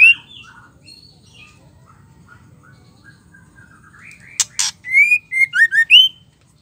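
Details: Female white-rumped shama calling to provoke males into singing, used to stir other shamas; a quiet opening of soft whistles, then a sharp harsh burst and a run of loud, rich whistled notes rising and falling in quick succession.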